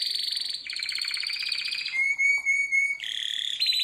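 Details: Harz Roller canary singing for training: sustained buzzing roll, a long pure whistled tone, then further rapid rolls at higher pitch, steady and clean.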